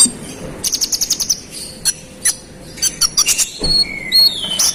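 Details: Konin in full song, sung to provoke rival birds: a fast series of sharp, very high chirps and short clicks in bursts, with a few thin whistled notes and a brief rising whistle near the end.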